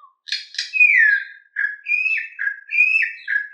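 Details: A campo troupial sings a clean "mateiro"-style song of rich, fluty whistled phrases that alternately rise and fall, opening with a couple of harsher buzzy notes. No other sounds are heard.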